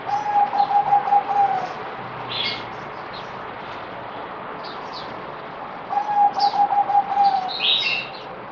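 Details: Two rhythmic phrases of a zebra dove, or merbok, about six seconds apart, each a rapid series of soft pulsed coos; recorded 17 April 2020, fourth day of deworming, with scattered high-pitched chirps of other birds.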